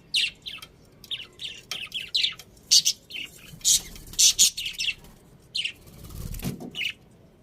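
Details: Budgies chirp loudly and often, in sharp, bright, clipped notes, some in quick pairs, with a soft low thud near the end.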